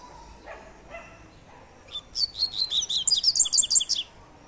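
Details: Double-collared seedeater singing its "tui tui" three-note song type: after a couple of faint low notes, a quick burst of high, bright chirped notes repeated rapidly for about two seconds, some slightly buzzy, over a quiet background.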